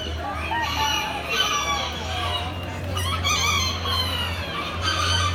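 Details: At an indoor poultry exhibition on October 20, 2019, several bantam cocks crow one over another. Strained, harmonic, drawn-out crows start every second or two above constant low hum and chatter.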